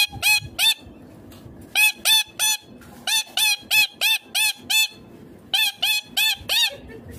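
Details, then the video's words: Green Indian ringneck parrot screeching in rapid bursts: groups of harsh, bright arched notes at about three a second, broken by short silent gaps, with faint room noise beneath. "Indian ringneck green parrot amazing talking clear sounds"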